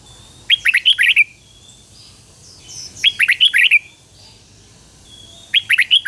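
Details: Decoy red-whiskered bulbul song used to lure wild birds, loud rolling phrases of several rising and falling whistled notes, each burst under a second long and repeated roughly every two and a half seconds.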